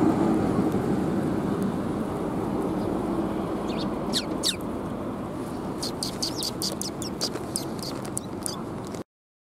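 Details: Sparrows coming to be fed at Tenmangu shrine on 13 March 2021. Short sharp high chirps come in quick bursts in the second half, over a steady low rumble of background noise.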